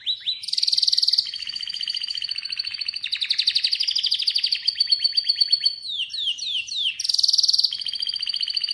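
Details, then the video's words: Atlantic canary in continuous varied song: bright high trills alternating with lower rapid rolls, a run of descending slurred notes, then a loud high trill again. "Atlantic Canary sings in an amazing voice"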